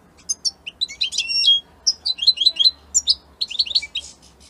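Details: Linked to Italy, a European goldfinch sings in several twittering phrases of high, sharp chirps and short trills separated by brief pauses. A soft low hum runs underneath.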